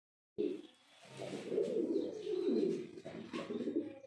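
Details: A pigeon, possibly male, gives soft, low, throaty coos in a continuous rolling stream, swelling and dipping over a few seconds, in a quiet, enclosed-sounding space.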